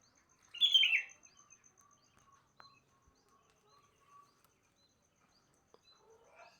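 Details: Morning song of a sooty-headed bulbul: a single loud, quick, bubbling phrase near the start, followed by faint scattered chirps and occasional clicks in a quiet setting.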